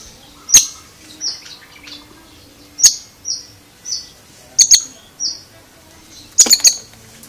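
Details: Oriental magpie-robin's strange vocal mix: sharp high clicks and double ticks alternating with short clear whistled notes, irregularly spaced, ending in a quick click cluster.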